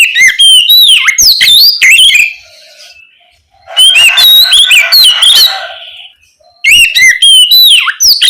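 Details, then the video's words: Loud ngeplong singing of an Oriental magpie-robin after dark, a lure to prompt young spotted magpie-robins to respond; three energetic phrases of sweet whistles, scratchy notes and swooping slurs, with a buzzy middle passage and short pauses. "Pancingan Kacer ngeplong malam hari ampuh untuk merangsang Kacer trotol agar lekas nyaut bunyi"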